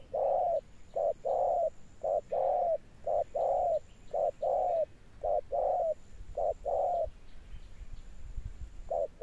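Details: Persistent deep-toned cooing from a spotted dove: low, hollow notes in steady short-long pairs about once a second, fading to quiet near the end, a thin high whine faintly audible.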